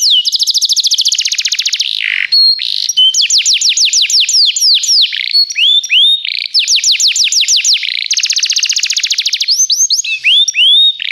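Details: Belgian canary singing for training, fast buzzy trills broken by looping slurred whistles, the rolling passages repeating several times with brief pauses between them.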